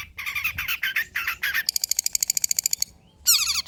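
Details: Long-tailed shrike (cendet) singing old-style lure and tutor material: harsh grating squawks, then a fast even rattle of sharp high notes, a short pause, and a final burst of squeaky slurred calls.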